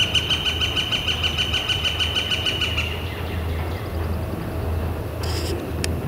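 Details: Northern flicker on a clear, warm April 2014 spring day: a quick string of repeated sharp notes for about three seconds over a steady low engine-like hum, followed by quiet and a brief scratchy burst.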